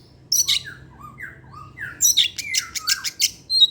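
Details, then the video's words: Caged Oriental magpie-robin in full afternoon song, a lure sound for other birds. A sharp note leads into a chain of sweet, falling and rising slurred whistles, then a rush of rasping, scratchy notes ending in a bright whistle. "pancingan suara kacer , Opus setiap sore ngeplay dan keluar materi"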